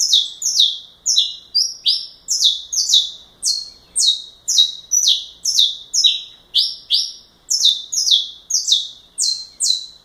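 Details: Saffron finch singing in the galador style: a fast run of about twenty sharp, high, downward-sweeping chips, roughly two per second, each sliding from very high to lower pitch, with a quiet background.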